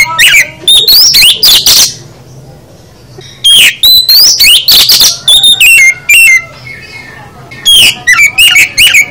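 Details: Kacer, the oriental magpie-robin, giving full 'isian' song: groups of rapid, sharp whistled notes and rising sweeps, with short quiet gaps between groups.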